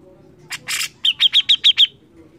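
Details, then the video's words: Grey-cheeked bulbul in loud persistent song: two harsh, broad notes, then six crisp downslurred chirps delivered rapidly, about seven per second. "cucak jenggot gacor mbeset ngotot ampuh untuk masteran burung kicau"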